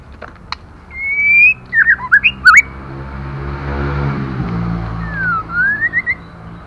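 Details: Female white-rumped shama calling to excite males, giving a drawn-out rising whistle, then a tight cluster of looping slurred notes and a final downslurred-then-rising whistle over a steady low rumble.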